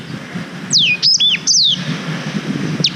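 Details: A few loud, high, downslurred whistles from a black-throated canary, recorded as a tutor song for canaries on a GoPro Hero 5, then a quieter gap before one more short note.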